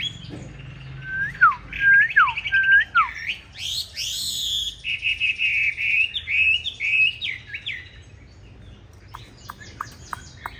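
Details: Green-bean-eye Chinese hwamei fighting song for training other hwamei: repeated falling slurred whistles, a steep rising sweep, a quick warbling series, then the song fades into soft scattered clicks.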